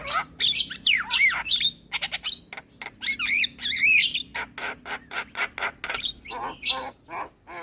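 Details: Asian pied starling singing in a recording played every morning for young birds to copy: sweeping whistled notes and warbles give way to a run of rapid harsh clicks and squawks.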